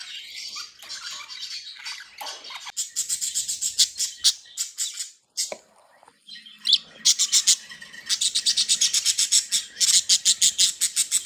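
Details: Budgerigars, happy and playing, chattering in bursts, then a run of fast, evenly repeated sharp clicking chirps after a short silence.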